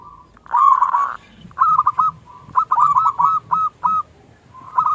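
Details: Local zebra dove singing a lure song in "klung kecil" style to spur quiet doves: one loud, buzzy, rolling burst, then separate clipped ringing coos spaced about half a second apart over a low rumble.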